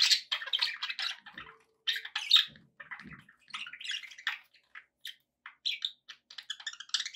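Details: Indoor budgies give quick chirps and scratchy warbled phrases in irregular bursts, with occasional short whistles and brief gaps between phrases.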